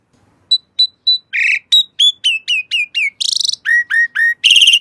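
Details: Asian pied starling singing a varied phrase: clear whistled notes near one pitch, then rising and falling whistles, a harsh rattling burst, a run of repeated downslurred notes and a final buzzy squawk, with no other sounds.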